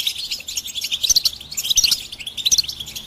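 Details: European goldfinches chattering together to excite males into song; rapid, irregular twitters with bright, ringing high notes recurring about every half second.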